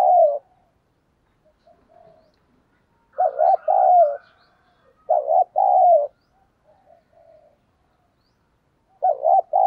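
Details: Spotted dove cooing in the thổ sấm voice style, played to stir a newly caught dove into cooing; four two-part phrases, each a short wavering coo then a longer falling one, with soft faint coos between.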